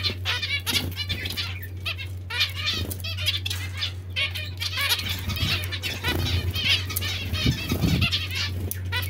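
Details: Bath time for a group of zebra finches, with busy overlapping nasal beeps and tweets almost without pause, some water splashing and flapping, and a low mains-like hum throughout.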